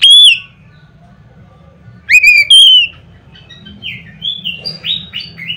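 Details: Loud song of an Oriental magpie-robin, used to stir other magpie-robins into singing: two bright whistled phrases separated by a pause, then softer, thinner slurred notes trailing off over a low background hum.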